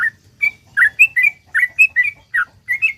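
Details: Sooty-headed bulbul delivering its lively song, offered as a prompt for other bulbuls: clear, warbling whistles, several rising and slurred, following each other in quick succession.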